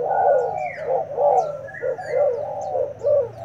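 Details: Spotted dove, a newly arrived wild-caught decoy bird in a fighting contest, giving repeated low hollow coos about once a second, with faint high chirps of other birds above.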